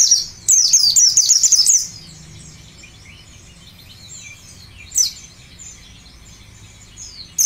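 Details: Ngalas-type white-eye used as a lure to prompt singing: a shrill, fast twittering phrase of high sweeping notes lasting over a second, followed by faint distant chirps and a lone sharp note.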